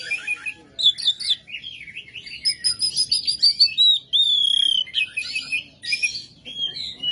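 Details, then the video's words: Kacer, the Oriental magpie-robin, singing hard in rough 'ngebyak' style: rapid run of scratchy chips and high warbled phrases, a sustained whistled glide, and a dense buzzy burst midway, phrases tumbling with few pauses. "KACER MATERI KASAR KASAR NGEBYAK GACOR"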